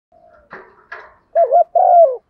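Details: Morning spotted dove decoy calling its flock: faint rustles and a thin tone, then a short wavering coo followed by a longer drawn-out coo that slides downward at the end.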